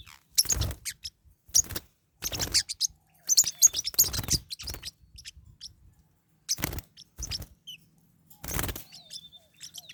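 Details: Caged Pacific parrotlets quarrelling: repeated loud bursts of scratchy, buzzy chattering and high chirps every second or two, with brief thin whistles and thumping scuffles between outbursts.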